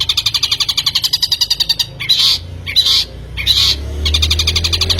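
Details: Long-tailed shrike lure recording to make a bird sing: a fast, grating rattle, then three harsh, buzzy squawks, and the rattle starting again.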